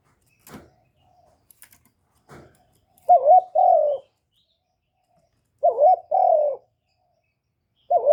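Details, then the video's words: Spotted dove kept as a decoy, cooing to rouse other captive doves; three low two-note phrases about every two and a half seconds, each a wobbling note then a longer sliding coo, after scattered clicks. "Tiếng chim cu mồi GÁY GỌI + THÚC + GÙ kết hợp kích bổi, Cu gáy mồi cây gáy, cu đất gáy, cu cườm gáy"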